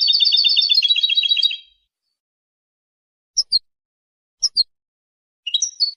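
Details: European goldfinch singing to defend territory and attract females: a fast, buzzy, evenly repeated trill of almost two seconds, then silence broken by a few short, paired, high chirps and a slurred note.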